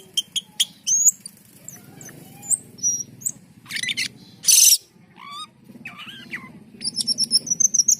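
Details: Black-and-white bulbul, called cucak keling, singing energetically: sharp chips, whistled slurs, a loud harsh rasp, falling sweeps and ending in rapid high twittering, over a low background hum.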